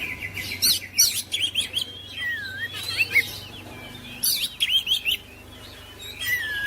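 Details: Kacer (oriental magpie-robin) singing to spur silent birds: loud harsh rasping bursts alternating with sweet looping whistles, irregular phrases spaced about one to two seconds apart over a faint low hum.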